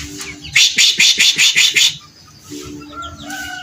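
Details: Grey-cheeked bulbul in full, lively song in a 'beset ngepik' style: a run of about eight harsh, buzzy chattering bursts in quick succession, then a pause with a faint whistled note.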